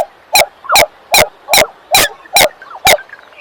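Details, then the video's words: Common coot giving a fast, even series of eight short, sharp, explosive notes, about two per second, with a fainter twittering sound underneath. "Common Coot Bird Sound | জলকচু পাখির ডাক | Jal Murgi ki Awaz | জলমুরগি | Coot Bird Call"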